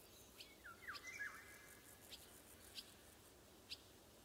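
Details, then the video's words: A Eurasian golden oriole in summer woods in June 2020 gives one brief, fluty whistled phrase that dips and rises; later come two sharp, high ticks over a steady hiss of wind. "Golden oriole song accompanied by wind"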